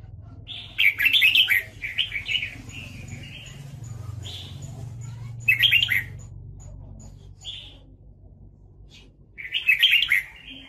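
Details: Red-whiskered bulbul during trapping and fighting, with loud chattering bursts recurring about every four seconds, shorter whistled notes in between and a low hum underneath.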